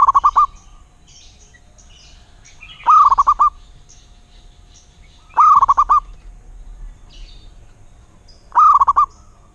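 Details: Local wild zebra dove cooing: four bursts of about five rapid, bubbling low notes, each phrase under a second and repeated roughly every three seconds, with faint high chirps of other birds in between.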